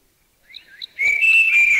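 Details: Puff-throated babbler giving its normal three-tone whistle: a few soft slurred notes, then a clear, steady high whistle held almost a second, with its own churring and chuckling in the background; recorded in a Thai national park.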